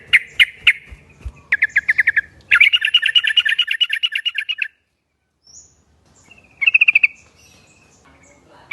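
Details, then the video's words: Yellow-vented Bulbul lure call for an answering flock: sharp clicks and quick chattering notes build into a long bubbly pulsed run, then a pause and a final short trill. "Trucuk bakan ikut bunyi kalo denger trucuk yang satu ini ‼ Trucukan ombyokan auto nyaut"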